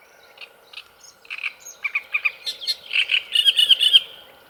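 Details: A great reed warbler, elusive and hopping up into a tree standing in the water by the reeds of a lake in Italy, sings loud, harsh, grating phrases of croaking and chattering notes, speeding into a rapid run of rasping syllables.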